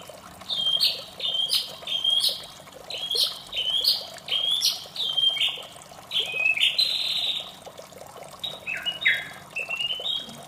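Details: White-rumped shama singing in the morning: a string of clear whistled phrases around mid-high pitch, each slurred and repeated roughly every half second, with a richer burst near the end over a steady low water-like rush.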